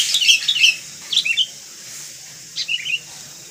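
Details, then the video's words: Sooty-headed bulbul (Pycnonotus aurigaster), known in Indonesia as kutilang, sings three short bubbly phrases of quick rising and falling whistled notes, separated by brief pauses, over a quiet low background hum. "Suara Burung Kutilang / Sooty-headed Bulbul"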